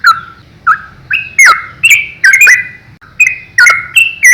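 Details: Yellow-vented bulbul 'ropel' song for tutoring young birds: softer opening whistles give way to loud, bright chirps with sharp downward slurs, delivered in an uneven bubbling run.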